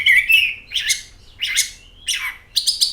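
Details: Oriental magpie-robin (kacer) song used as a lure to get birds singing: loud, varied whistled phrases, some slurred and falling, others sharp and rising, in bursts about every half second.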